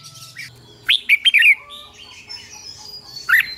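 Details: Red-whiskered bulbul, morning song training, in a short take: one quick burst of sharp, rising and falling chirps near the one-second mark, then a near-silent gap and a final brief whistled note, over faint background hiss.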